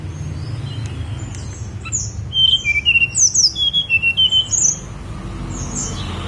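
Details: Snowy-browed flycatcher singing on Mount Songgo Langit: a rapid run of thin, high whistled notes, each sliding slightly, delivered in a burst of about two seconds over a steady low background hum.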